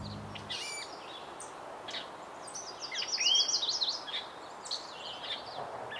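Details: Gray catbird singing a jumbled run of varied squeaky, warbled notes. A quick series of rising and falling phrases peaks near the middle, with scattered faint bird notes around it.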